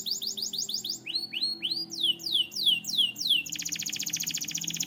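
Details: White canary singing: fast rolling trills of rising and falling whistled notes, shifting into downswept slurred notes and ending in a dense buzzy rattle, delivered rapidly without pause.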